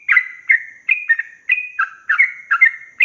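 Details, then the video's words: Long rolling song of a yellow-vented bulbul, played as a master recording for young birds: fast, chattering, slurred phrases rising and falling, packed closely one after another with short gaps and no background sounds. "Trucukan gacor ROPEL PANJANG ini BIKIN burung trucuk BAHAN, BAKALAN, MUDA GACOR"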